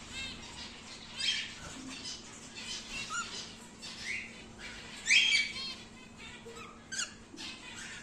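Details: Young pet cockatiel, a home-bred normal grey wild-type aged five to six months, chattering indoors with harsh squawks, rising whistled notes and rapid scratchy chirps, louder bursts near the middle and end.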